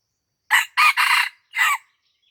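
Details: Red junglefowl in Aceh, lured near people's houses at Lamteuba for trapping, gives a loud crow of four harsh, broad syllables over about 1.3 seconds, with the last note set apart after a short pause; no other sounds are heard.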